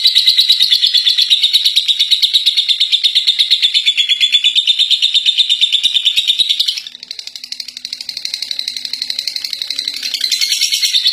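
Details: Contest-winning lovebird singing its long ngekek chatter: a dense, rapid stream of buzzy high chirps, nearly three per second, running unbroken, briefly dropping in loudness around the seventh second before resuming.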